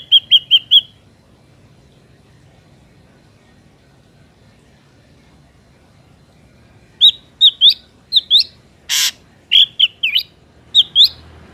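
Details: Ashy drongo recorded in nature for use as a trapping lure: a quick burst of four whistles, a long silence, then varied whistled and slurred notes with one sharp broadband click among them.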